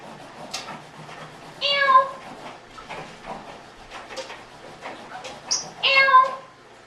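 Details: Adopted 16-year-old pet African grey parrot repeating the same question while its owner cleans indoors; two loud, tonal, harmonic voiced phrases stand out about four seconds apart over quieter clicks and murmuring.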